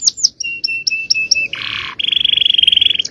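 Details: Full-power male canary song in champion style: short whistled notes repeated about five per second, a harsh buzzy burst, then a long fast pulsing trill.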